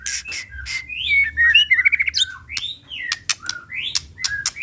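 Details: Pastol-type white-rumped shama song used as a lure recording: swooping whistles and fast chattering notes, then sharp upslurred ticks repeated several times a second.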